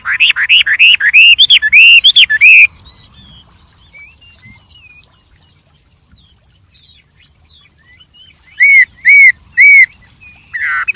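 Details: Wild white-rumped shama: a quick run of loud rising whistled notes, a long quiet stretch with faint soft notes, then three clear repeated whistles and a harsh closing note.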